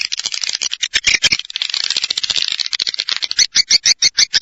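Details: Swiftlets chattering in quick, sharp, high chirps at roughly three per second, first blurred into a continuous buzzy twitter, then separating into distinct clicking notes toward the end.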